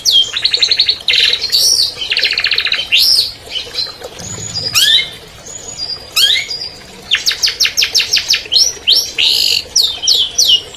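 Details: Song of an albino long-tailed shrike, a 2020 champion, used to coax silent shrikes into singing: fast rattling trills of high notes, swooping whistles and sharp chips in a varied, mimicking sequence.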